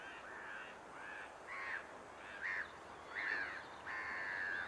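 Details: At Lingham Lake on 14 March 2015, a lesser black-backed gull gives a run of six harsh, nasal, downward-bending calls, roughly one every half to one second, the last one longer and drawn out, against constant background hiss.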